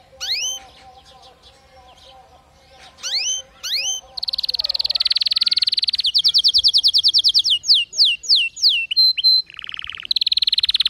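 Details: Canary song meant to coax weak or non-singing canaries into song: scattered upward slurs, then a dense fast trill, a slower trill, several falling whistles, short piped notes and a final rapid buzzy run.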